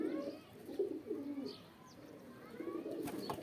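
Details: Pigeon mating calls: bursts of low rolling coos from a group, dipping quieter midway before rising again, with a brief high chirp and a sharp click near the end.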